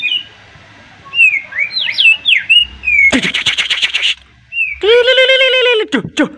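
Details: Agitated white-rumped shama whose sharp song rouses a rival: clear whistled slurs rising and falling, then a loud rasping burst lasting about a second, followed by a harsh buzzy note with strong overtones.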